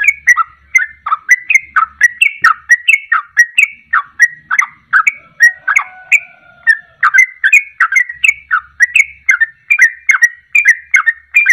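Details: Long unbroken run of sooty-headed bulbul ropelan song used to provoke birds into singing: rhythmic chuckling whistled phrases repeated about twice a second for over eleven seconds, with a faint low hum.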